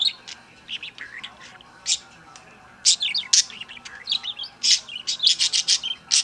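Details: Pet bird bursting into song while dancing: a jumble of sharp, high chirps and squeaky notes in irregular bursts, growing busier toward the end.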